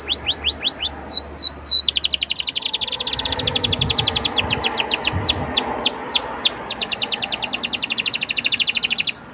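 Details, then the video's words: Atlantic canary song played to lure young canaries into singing: long runs of rapid, evenly repeated downslurred whistles, switching to a faster, denser trill after two seconds, bright and high throughout. "PANCINGAN KENARI MUDA AGAR CEPAT BUNYI DAN GACOR CENGKOK ENAK!"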